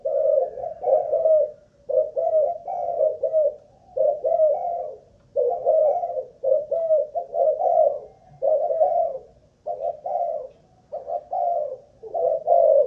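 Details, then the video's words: Spotted dove kept as a ground decoy bird (mồi đất), tested for cooing stamina: steady low, mellow, throaty coo phrases in quick rolling bursts, separated by short pauses, about a dozen phrases, with faint room-like background. "Cu Gáy Mồi Đất || Test nước bền chim cũng thấy khá ổn"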